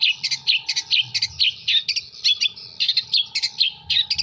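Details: Long-tailed shrike from Jember in full song, imitating kuntilanak, sparrow and tengkek buto. Rapid scratchy chirps fall in tight pairs and triplets about every half second against a steady low hum.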